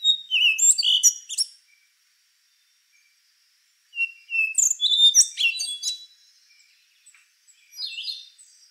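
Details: Rufous-brown solitaire song of rapid, tinkling, flute-like notes rising and falling steeply, given in three bursts spaced a couple of seconds apart.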